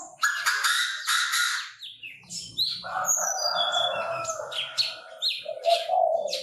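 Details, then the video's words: Chinese francolin call: a dense burst of high chirping opens the clip. A harsh, steady, nasal rasp follows, lasting about two seconds, then a shorter rasp near the end. Other small birds twitter throughout. "Tiếng chim ĐA ĐA gáy"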